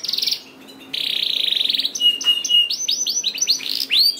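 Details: Canary lure song for getting lazy birds to sing: a high buzzy rolling trill, a short pause, a long steady warbling rattle, a clear flat whistle, then loud looping rising-and-falling whistled notes.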